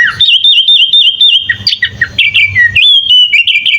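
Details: Sooty-headed bulbul (kutilang) singing a full isian filler song, meant as a master for training other birds: a fast run of clear whistled notes, some swooping and rising, others dipping, then a long falling slur and bright level whistles.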